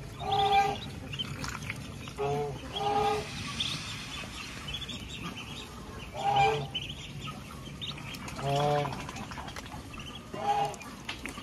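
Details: Mother duck feeding with her ducklings on a village farm; loud nasal quacks come in separate bursts every two seconds or so, some doubled, above constant low rumble and light scattered peeps.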